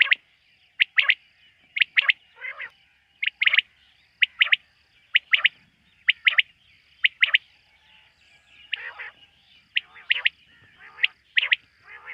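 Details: Quail heard at night, in a quail-hunting context: a long run of clipped whistled triplets roughly every second, with occasional rough, buzzy notes and overlapping softer calls in the latter part.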